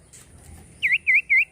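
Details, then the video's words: Common iora giving three loud dipping whistled notes in quick succession after a moment of faint background noise. "cipoh gacor"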